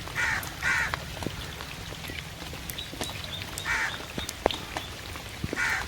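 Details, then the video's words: Crow calling in rain: a quick pair of rasping caws at the start, then a pause and two more single caws later, with rain hiss and occasional drops throughout. "CROW CALLING IN RAIN"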